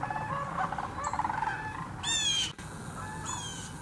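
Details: Migrating sandhill cranes massed at Hiwassee Wildlife Refuge, Birchwood, Tennessee: rolling flock calls in the first half, then sharp high sweeping whistled notes from a nearby bird cut across the chorus.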